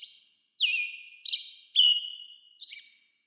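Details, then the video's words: An American robin calls a quick series of four whistled notes, each dropping in pitch and ending with a short burr, with no other sounds. "American Robin Calling"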